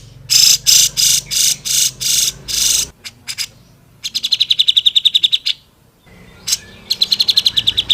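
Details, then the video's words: Vigorous grey-cheeked bulbul song for songbird training: a row of loud, harsh rasping notes, a pause, then rapid bright trilled chirps repeated in quick runs. "CUCAK JENGGOT GACOR SUPER PEDAS"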